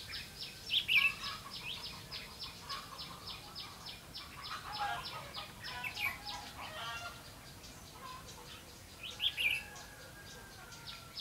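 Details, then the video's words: Red-whiskered bulbul used as a decoy bird for trapping on a rainy, windy day, 31 October 2016: dense runs of quick chirpy, warbling notes repeated throughout, with a few louder sharp accents and steady background noise. "Bẫy chào mào mưa gió"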